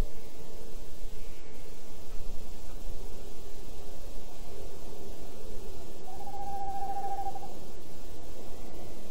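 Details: Tawny owl, one of a male and female pair, recorded 28 January 2011: a single steady, quavering hoot held for about a second near the six-second mark, over constant low rumbling background noise.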